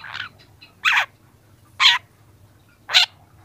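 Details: Young long-tailed shrike, recorded as a training clip: three loud, raspy, noisy notes spaced about one second apart, with a fainter note at the start.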